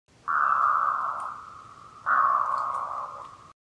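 A Black-throated Loon gives two drawn-out, hoarse croaking notes, each over a second long and sagging slightly in pitch, with a brief pause between them.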